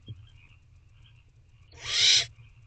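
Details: Young barn owl demanding food from its mother inside a nest box, night of 26 April 2023. A single loud, rasping hiss-screech lasting about half a second follows quiet low rumbling.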